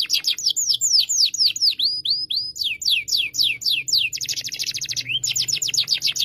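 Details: Canary song used to tutor a young canary: series of swooping whistled notes, then a dense buzzy high trill and more falling sweeps, delivered rapidly and continuously, with a faint low hum behind.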